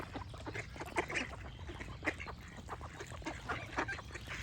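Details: Short, loud duck quacks burst out of a noisy chorus, with a few sharper honking notes, surrounded by chirping birds.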